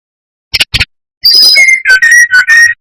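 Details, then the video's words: Two dry clicks, then a brown-chested jungle flycatcher phrase. High notes step down to steady, clear whistles broken into short repeated segments. Used as a lure to provoke rival birds. "Pancingan SRDC gacor atas bawah || suara bikin ngamuk SRDC lainnya"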